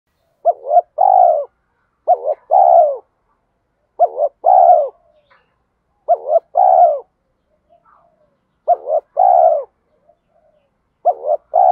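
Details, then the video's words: Spotted dove coo in the thổ voice mixed with thúc style, used to urge birds to fight and to train new and decoy birds. Phrases of two short notes and one long, falling low coo repeat about every two seconds. "Tiếng chim cu gáy giọng thổ pha thúc đấu vấy bổi, dùng tập bổi và tập mồi gáy theo cả ngày"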